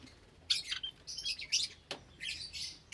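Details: Java sparrows in a cage with many new chicks, Sunday morning, 8 May 2022; dense bursts of high, noisy chirping from several birds, broken by a single sharp click.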